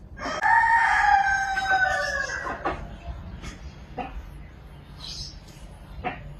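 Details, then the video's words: Chicken in a village giving a long, loud, harmonic crow that holds steady then fades, followed by scattered short clucks and sharp pecking clicks against a low background rumble. "Hen sound effect | hen sound video effect in village"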